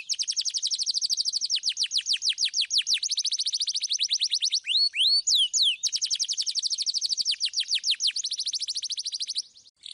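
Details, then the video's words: Canary singing loud and clear, used to prompt young canaries to sing: long fast rolls of high, downward-sweeping notes, broken midway by a few slower upward whistles before the rapid trill resumes. "KENARI GACOR Suit Suit Ngeroll Suara Jernih"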